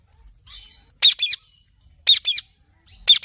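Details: Parrot giving harsh two-part squawks about once a second, preceded by a faint buzzy chirp, otherwise quiet background.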